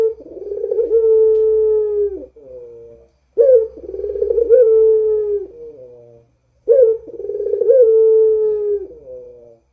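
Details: Barbary dove, a vocal bird, giving its 'rintihan' moaning coo, used as a lure: three drawn-out, low, steady coos, each about two seconds with a softer trailing tail, repeated roughly every three seconds, with clean silence between.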